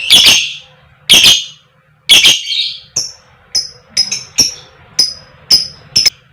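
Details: Lure calls of a female fighter lovebird in the koek koek style: three loud, harsh squawks about a second apart, followed by a string of much softer, thin, high chirps and clicks.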